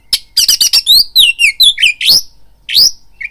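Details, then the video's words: Oriental magpie-robin singing a lure to trigger fighting mood: a rapid string of harsh rasps followed by descending whistled slurs and buzzy sweeping notes, loud and close. "BIRAHI TARUNG KACERMU NAIK DENGAR PANCINGAN KACER INI"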